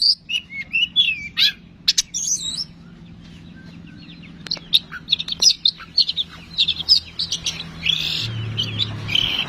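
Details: Long-tailed shrike singing vigorously, a song meant to draw other shrikes into singing: bursts of chattering, mimicking notes and buzzy phrases separated by brief pauses, low background hum.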